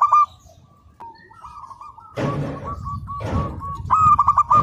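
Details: Local zebra dove singing for a training master recording: scattered coos and a drawn-out rippling phrase, interrupted by two broad noise bursts, ending with a loud rapid rolled phrase.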